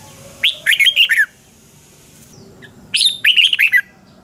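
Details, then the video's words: Red-whiskered bulbul morning training song in the twisted double-voice style, kept as a lure for caged birds; two matching phrases of rich, warbling whistles about two and a half seconds apart, with quiet pauses between. "Luyện chào mào hót sáng 2020 chào mào giọng xoắn kép Quá hay"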